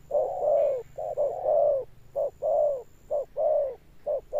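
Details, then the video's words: A spotted dove coos in the deep 'thunder tone' style with persistent ending notes. Its low, rounded coos mix short taps with longer sliding tones in a steady rhythm, about one per second. "Cọp Đẹp Như Tranh, Gù Âm Sấm_ Nước Tiền Bổi kèm dậm nghe chỉ có phê. Gù Hậu Bền Bỉ."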